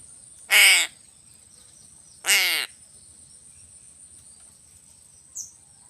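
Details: A crow calls twice, about a second and a half apart, in short grating caws rich in overtones over a quiet background with a faint high tone.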